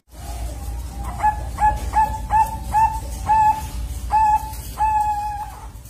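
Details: Young Bangkok zebra dove, two months old and kept on a bird farm, learning its song: a soft opening note, then about nine clipped, clear cooing notes in a loose rhythm, the last few longer and drawn out.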